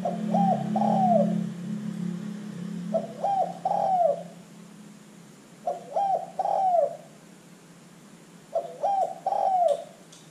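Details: Energetic spotted dove, used to lure other birds into calling, repeats a three-part phrase of short coos and a curving longer coo about every three seconds, four times; low droning hum early on, faint clicks.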